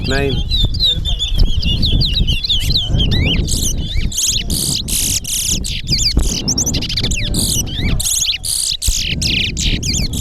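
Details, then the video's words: Towa towa bird race at Alligator Pond, a competition of singing birds: fast chattering warbles and high whistled slurs pour out in an almost unbroken stream, with crowd chatter and low rumble beneath. "TOWA TOWA BIRD RACE AT ALLIGATOR POND"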